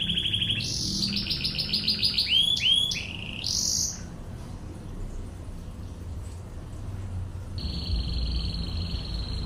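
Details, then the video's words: Canary singing in the tembakan ngebren style for tutoring: a short trill, then rapid stuttering notes and looping upswept whistles. After a pause of about three seconds comes one high steady rolled tour. "MASTERAN BURUNG KENARI//TEMBAKAN NGEBREN"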